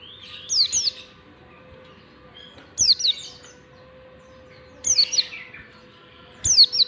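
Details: Long standard ngalas song of an Oriental white-eye, meant to lure and teach young white-eyes: short high-pitched falling twittered phrases repeated roughly every two seconds, four bursts in all, above a constant faint hum.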